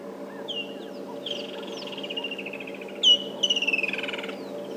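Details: Woodland kingfisher on a 28 January morning safari drive near a lion pride, singing (not alarm calling) a sharp high 'chick' then a descending pulsed 'brrr' trill, amid the morning chorus over a low engine hum.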